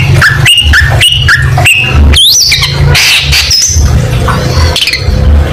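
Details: Long-tailed shrike song for competition training: a run of repeated short whistled notes, then looping upward sweeps and harsh bursts, set against a constant low droning background.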